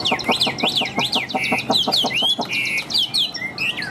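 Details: Loud-voiced caged Chinese hwamei pours out fast, repeated high arching whistles over a rhythmic tapping pulse, then several longer sustained whistled notes; a man speaks right after.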